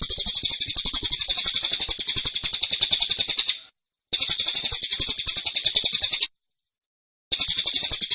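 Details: Cililin kept in a cage, singing its dense, insistent 'tembakan' song. Three long volleys of rapid, piercing high chirps, each several seconds long, are split by brief silent gaps.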